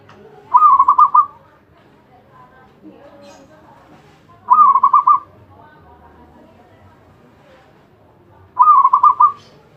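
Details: Zebra dove singing without pause, repeating its rippling cooing phrase of several quick soft notes about every four seconds, three phrases in all, with low background murmur between them.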